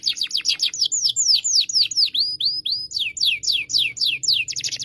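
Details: Gacor canary song used to teach a young canary, Indonesia: quick falling chips leading into smooth U-shaped swooping whistles, then brisk descending notes and a final buzzy flourish.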